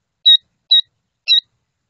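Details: Killdeer (Charadrius vociferus) with her chicks, tending the hatchlings: three sharp, piercing high notes spaced about half a second apart, the last one rougher. The background is otherwise quiet.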